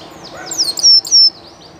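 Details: Spanish llarguet canary, a well-known legendary breed, singing live: brief sliding whistled notes lead into two long, loud, steady high-pitched whistles, each about a quarter second, with near-silent background.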